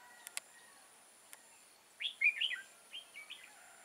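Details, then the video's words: Red-whiskered bulbul kept as a trapping decoy, 6 October 2018. After a couple of clicks, a loud, lively phrase of quick, slurred whistled notes is followed by three softer, lilting notes. "Bẫy chào mào Mào đá lân hầu bò nết căng xòe"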